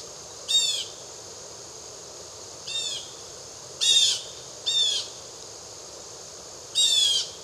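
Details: Blue jay (Cyanocitta cristata) in the Triad area of North Carolina gives five harsh, raspy, slightly descending calls, each under half a second, at uneven intervals over steady faint background hiss.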